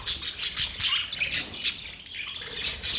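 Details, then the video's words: Cheerful budgies chirping, short sharp squeaks and twitters tumbling over one another in quick pulses. "Budgies chirping sounds"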